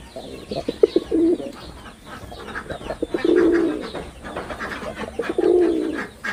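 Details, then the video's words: Three deep coo phrases from a performing male red-bordered wild pigeon, stuttering pulses building into a warm rolling hum, spaced about two seconds apart; small birds chatter above. "লাল বডার বুনো কবুতরের অসাধারণ ডাক || Pigeon Sound Effect || Male Pigeon Super Performance"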